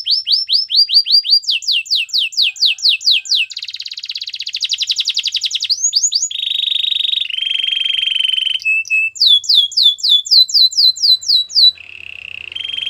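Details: Canary singing a training song meant to restart a silent bird. It moves through quick downward-sweeping chips, a dense rattling trill, a smooth low roll, then repeated bright slurred notes and a final soft trill.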